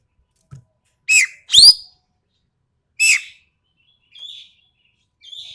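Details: Sumatran treepie from Sumatra with a sharp, rough voice, recorded for tutoring cage birds: a quick pair of rasping, squawky notes, another harsh note at three seconds, then two faint, thin high notes.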